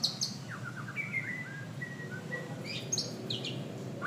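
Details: White-rumped shama delivering thin whistled notes, some rising, some flat and drawn out, then a burst of higher sharp chirps, with a low steady hum underneath.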